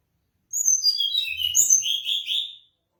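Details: A mangrove blue flycatcher gives a sweet high song, descending whistled notes followed by a rolling, buzzy lower section, with a faint low hum briefly in the background.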